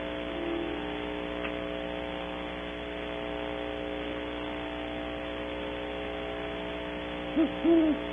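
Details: Great horned owls, a pair visiting a tree cavity in the early morning at Audubon Starr Ranch, California, caught on a camera: two low, soft hoots arrive near the end, after a long stretch of steady hum.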